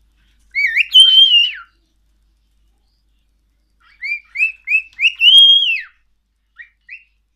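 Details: A hand-tamed cockatiel in an aviary gives clear, rising whistles in short phrases, each phrase ending in a long slurred note.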